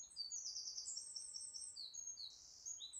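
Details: Wren in full song from a tree canopy beside a nature reserve pond, 30 July 2012: fast, very high rattling trills and bright twittering phrases pour out continuously for three seconds over faint background hiss.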